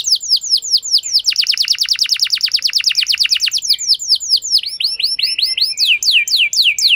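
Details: Canary song serving as a lure for a reluctant canary to reply and sing long; quick chirps, a steady fast series of falling notes, then spaced upward-sweeping whistles.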